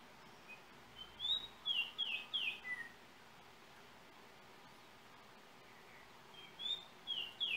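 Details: Yellow oriole from Trinidad, cell-phone recording: a burst of four or five clear, bright whistled notes, then a long pause, and the same whistled phrase starting again, with faint hiss throughout.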